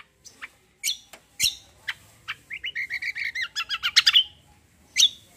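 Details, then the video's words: Cucak performing a combo song with 'tembak' shots: a few isolated sharp chirps, then an accelerating trilled roll of short whistled notes climbing in pitch, ending in a loud high burst. "CUCAK KOMBO KECIAL KOMBO ROLL TEMBAK GACOR COR"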